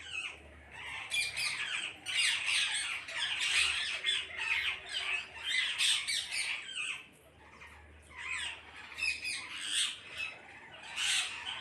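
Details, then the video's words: Many parrots calling as a flock, an almost unbroken stream of loud, scratchy screeches and chattering squawks. The noise eases briefly partway through, then builds back up. "கூட்டமாக கிளிகள் சத்தமிடுகிறது"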